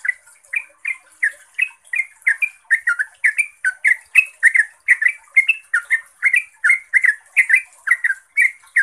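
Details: Rapid ropel-style song of a yellow-vented bulbul, used as a lure to make other trucuk reply: a steady, unbroken stream of bubbly, slurred notes, several per second, without pause.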